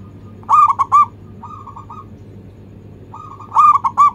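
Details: Zebra dove, local strain, singing anggungan as a lure for other birds: loud four-note cooing phrases at start and end with softer rolling coos between, over a noisier, rumbling low background hum.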